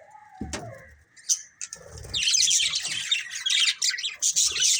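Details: A breeding pair of colourful budgies: a thud and soft tones open, then from about two seconds steady, fizzy warbling chatter with high squeaks continues to the end.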